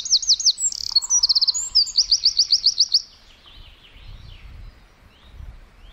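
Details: Wren singing in a forest: a loud, fast burst of high, sharply repeated trilled notes lasting about three seconds, a short lower buzzy phrase in between, then quiet with faint low rumble.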